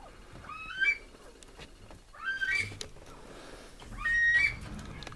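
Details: Captive Himalayan monals in an aviary, giving three rising whistled calls about every two seconds, each sliding upward and ending in a sharp high note, with faint rustling between them.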